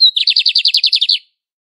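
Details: Classic song of a Lined seedeater from Brazil: a thin high note followed by a rapid, even series of about twelve buzzy repeated notes, steady in pitch, ending abruptly.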